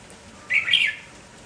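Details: Morning song of a lively village red-whiskered bulbul, one rich warbled phrase rising and falling, bright and whistled, standing alone against faint background hiss.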